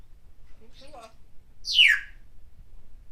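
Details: Indoor pet parrot cheering for Jeremy Lin and practising calls in two languages; a brief, low, speech-like mutter followed by one loud, raspy squawk sliding downward.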